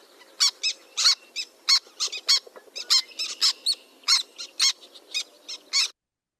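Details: A black tern (Chlidonias niger) of marshes gives sharp, clipped kik notes in an irregular series, about one or two per second, with some longer, slightly squeaky calls mixed in. Black tern.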